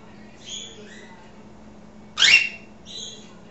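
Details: Pet African grey parrot in conversation, giving soft whistled and warbled notes, then one loud harsh squawk, then a few more quiet whistles, with a constant low hum underneath.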